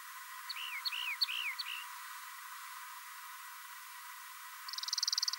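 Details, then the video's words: A Rock Wren gives four quick repeats of a two-part phrase, a sharp high tick dropping into a slurred, arched whistle, followed a few seconds later by a fast, high buzzy trill. "Rock Wren"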